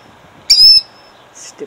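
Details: A single piercing, high-pitched cry from a female killdeer guarding her eggs, Jackson, New Jersey, 2008, brief and sharp, followed by quiet background and a faint rustle.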